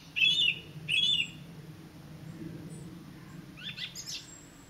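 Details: A song thrush singing in the Avenue at WWT Caerlaverock gives a bright, fluty phrase twice in quick succession, then softer, twittering notes, with a low rumble of distant noise underneath.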